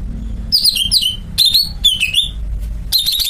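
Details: Greater green leafbird (cucak ijo) delivering loud, clear whistled phrases that slide downward, three or four separate bursts over low rumbling background noise.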